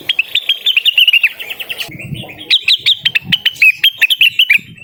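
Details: Blue-winged Leafbird singing energetically to call a rival: fast runs of bright, clipped whistled notes that rise and fall, broken by a brief pause before another dense chattering series.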